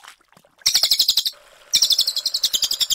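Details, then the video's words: Cililin, a brown cililin, sings two short, high, rapidly pulsed trills. The first lasts about half a second; after a pause, a longer and slightly slower second trill follows. "CILILIN GACOR SUARA TEMBAKAN AK47 NGEROL JERNIH"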